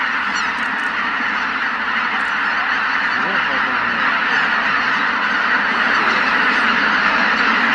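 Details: A flock of greater white-fronted geese takes off as one from a marsh as the sun rises. Thick layered honking fills the whole stretch, a loud, steady din of many overlapping calls.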